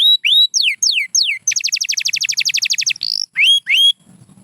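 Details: Pure white canary mixing varied whistled slurs, rising and falling, with a fast even trill of clipped double notes, ending in two rising whistles and quiet.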